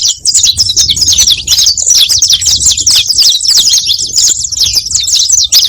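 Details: Saffron finch song played to call in other saffron finches: fast, shrill chirping and twittering, tightly packed high notes continuing throughout.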